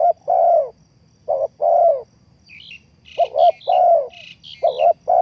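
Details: Spotted dove coos used to lure birds into traps: repeated low phrases of a doubled note and a longer coo, while a small bird chirps high and fast through the second half.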